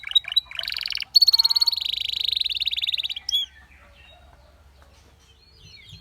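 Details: Belgian canary producing a few sharp notes, then a fast buzzy trill lasting about two seconds, followed by near quiet with faint high chips.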